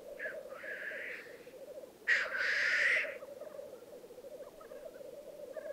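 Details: At a singing arena in Italy's Piedmont Alps, black grouse males display in 2022: continuous low burbling coo with two harsh hissing bursts, the second louder and longer.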